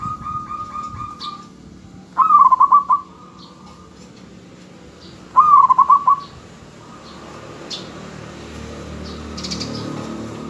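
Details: Lure zebra dove of local origin, kept to make other doves call back, delivers two separate trilled coo phrases about three seconds apart, each a quick run of pulsed notes, with soft clicks in between.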